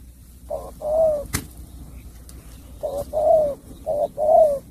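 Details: Spotted dove from Cà Mau, Vietnam, singing in the bầu bạch đề style: mellow low coos paired as a short note followed by a longer, drawn-out one, two pairs with a sharp click between them over quiet background hum.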